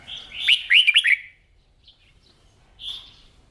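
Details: Red-whiskered bulbul, a kept bird in morning singing practice, delivers a loud burst of four quick warbled, slurred notes, then pauses and gives a softer short phrase near the end.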